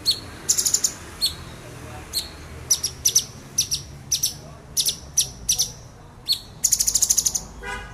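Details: Male orange-bellied leafbird, agitated, delivering sharp high-pitched song: strings of piercing short notes at irregular intervals, a rapid stuttering trill near the end, faint background murmur.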